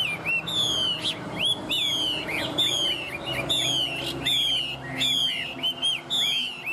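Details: Tame Chinese hwamei in strong song, repeating a loud, clear, slightly falling whistled phrase about every second, each ending in a short upward flick, over background hum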